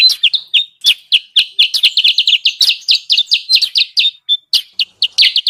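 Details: Sooty-headed bulbul calls played as a lure for wild birds: quick bright chirps, some drawn into short slurred notes, packed densely with a brief pause after four seconds.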